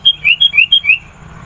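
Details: Sooty-headed bulbul in persistent song, meant to attract wild bulbuls: six loud, clear notes in quick succession, alternating higher and slightly lower slurred whistles, ending abruptly.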